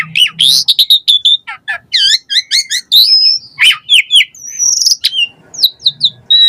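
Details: Asian pied starling singing a lively, variation-filled song used as a lure to get captive starlings singing: rapid high whistles, rising and falling slurs and sharp chips tumbling together in quick bursts, with brief low buzzy notes at the start and end.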